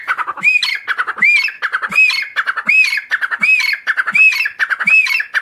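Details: Group of wild Grey Francolins, locally called teetar, calling in grassland at Rahim Yar Khan: loud, ringing, arched whistled notes overlapping with chattering phrases, repeated steadily about every three-quarters of a second without pause.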